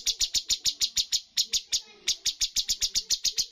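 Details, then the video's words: Bulbul song in 'tembakan' style from a bird contest, top-scoring: steady train of bright, high, sharp chips at about four or five per second, with a short break midway. "cucak cungkok full tembakan poin tertinggi dalam perlombaan burung"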